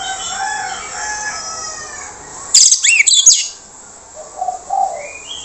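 Orange-headed thrush giving rich, varied warbled phrases, then a loud burst of harsh, scratchy notes, over steady high hiss.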